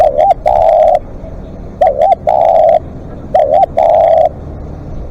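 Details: Live decoy spotted dove giving long calls: low mellow cooing, each phrase a quick double coo followed by a drawn-out steady coo, repeated about every one and a half seconds, with scattered sharp clicks in the background.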